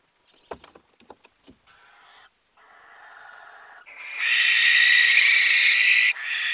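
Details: At a barn owl nest where a grown female chick from the first brood tried to return and was aggressively attacked by her mother guarding the chicks, a barn owl gives harsh, breathy hissing screeches that swell into one two-second rasp after soft clicks.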